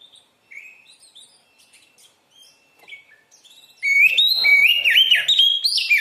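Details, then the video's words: Oriental magpie-robin (kacer) song used as a training master for young birds: a few faint, scattered chirps at first, then loud, rich whistled phrases burst in, rising and falling with rapid ornamented turns. "SUARA BURUNG KACER GACOR COR"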